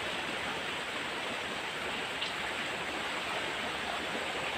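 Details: Steady rushing noise like heavy rain or running water fills the whole recording.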